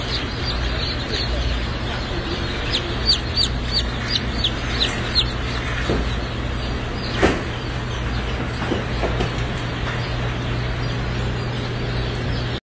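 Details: Black Sex Link chicks hatching at a hatchery: thin, high peeps repeated at short, irregular intervals over a steady low mechanical hum.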